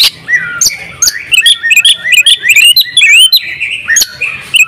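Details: Oriental magpie-robin, a champion bird singing open-beaked in ngobra style with full fill-ins; starts with a low slurred whistle, then quick chains of high chirps, sweeping upslurs and clicks.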